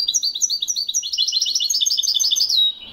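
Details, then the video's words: European goldfinch singing in the Moroccan Wedani style, recorded in Morocco in 2021: a rapid, dense run of high, bright twittering notes that grows busier and ends in a short drawn-out note. "تسجيل طائر الحسون الويداني من أجمل الطيور لسنة 2021... le meilleur chant du chardonneret au maroc"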